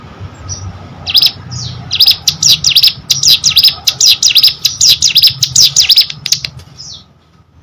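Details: Hill prinia singing a fast series of high, sharp dipping notes after a few scattered soft calls, the burst lasting about five seconds over low hum.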